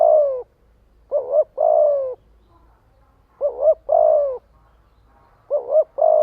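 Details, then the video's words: Spotted dove used as a lure bird, cooing to gather others: three phrases, each a brief double note then a long, gently falling coo, separated by pauses of about a second. "Tiếng chim cu gáy kích bổi gọi bầy hiệu quả."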